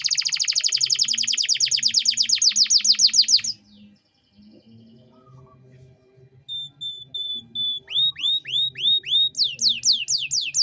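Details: Lively canary song in cengkok mewah style, used as tutor material for young songbirds. A fast buzzy trill of about twelve notes per second fades into a short pause. Clean steady tones and repeated falling whistles follow, over a low hum.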